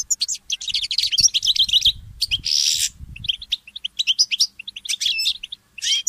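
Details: Goldfinch mule, a goldfinch hybrid, singing in the early morning: fast, twittering high phrases of chirps, trills and buzzy notes in dense bursts, with a brief harsh rasping burst in the middle and faint low thumps beneath.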